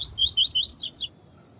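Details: Double-collared seedeater in tui-tui song style, used to train and warm up males: four bright upslurred whistles, then two higher, sharper downslurred notes, all within about a second. The background is quiet.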